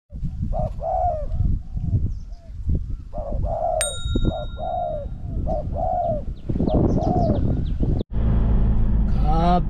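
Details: Spotted doves during decoy trapping, a decoy bird set against a strongly cooing wild dove: mid-pitched rolling coos repeated in quick runs over heavy low rumbling noise, ending in a burst of broadband clatter.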